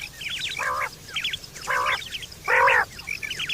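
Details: Quail, September 2023, a call for hunting and mating: three loud nasal calls spaced under a second apart, with quick high twittering notes between them.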